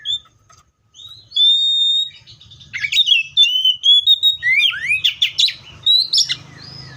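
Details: Seychelles magpie-robin song opening with a short whistle and a long steady, pure whistled note, then breaking into a rapid, varied run of swooping whistles and scratchy chattering notes, over a faint low rumble.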